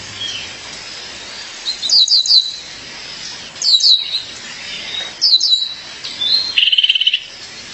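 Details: High, sharp triple chip notes repeated regularly from a female violaceous euphonia calling her partner, ending in a lower rattling buzzy trill.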